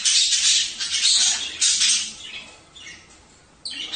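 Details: Budgerigar sounds used to prompt mating: loud grating squawks in quick succession over the first two seconds, fading to faint scratchy chatter, then one more abrupt harsh note at the end.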